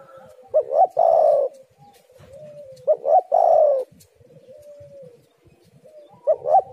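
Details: Spotted dove cooing, played as a lure to get other doves calling: a phrase of two quick arched notes and a long, buzzy, slightly falling coo, heard twice about two and a half seconds apart, with a third starting at the end.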